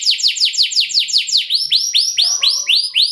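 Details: Canary singing a luxurious long-duration song used as a lure to stir other canaries: rapid repeated descending high sweeps at about seven per second, then slower upward-curving whistled notes, all high-pitched.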